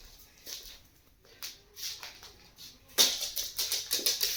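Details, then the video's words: A white cockatoo imitates a chicken with a run of harsh, breathy clucks, sparse at first, then quickening to several per second near the end. "White Cockatoo making chicken sound"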